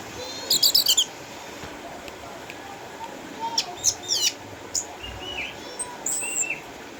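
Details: Eight-year-old caged orange-headed thrush from Sukabumi, Indonesia, a retired contest winner with cataracts: an opening rapid high rattle, sharp chips in the middle, then low warbled whistles and a slurred note.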